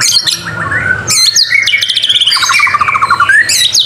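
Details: White-rumped shama (murai batu) in a lively 'gacor' masteran song: clear whistles and slurred notes, a fast high trill, then a long buzzy trilled phrase descending and rising again, loud and varied.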